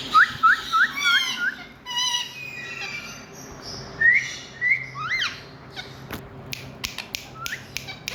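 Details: Talking parrot producing a fast series of short rising chirps, about five in two seconds, then scattered whistled squawks and a run of sharp clicks near the end.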